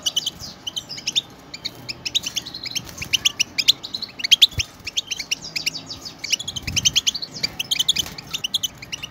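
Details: Many European goldfinches together, a stimulating chatter meant to set pet goldfinches singing: a busy stream of bright, high, liquid twitters and short trills, several birds overlapping continuously, with a soft low background hum.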